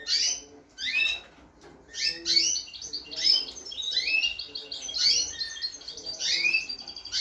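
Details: Bright, rapid twittering from a goldfinch × canary hybrid bred in 2022 and completing its moult: jumbled high chirps, trills and downslurred notes run in near-continuous bursts with brief gaps.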